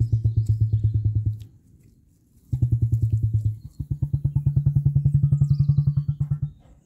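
A female emu gives deep, hollow drumming: rapid low booming pulses in three bouts, a brief pause, then a longer run. Otherwise quiet.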